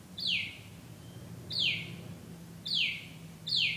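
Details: A night-singing bird repeats a clear downward-sweeping whistle about once a second, four times, over faint low hum.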